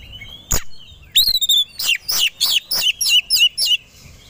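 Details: Kacer (Oriental magpie-robin) roused to sing aggressively: a clear rising whistle with ringing harmonics, then a fast series of about eight loud down-slurred chips at a steady rapid pace.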